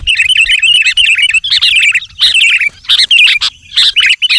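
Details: Busy sooty-headed bulbul song meant to draw wild bulbuls: bright bubbling whistles tumbling in quick phrases, with a few brief pauses between bursts.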